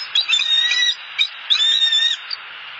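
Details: Wild bald eagle pair back at their Southwest Florida nest for the night on 29 November 2015, still mating; high shrill chattering squeals in two long bursts separated by a brief chip.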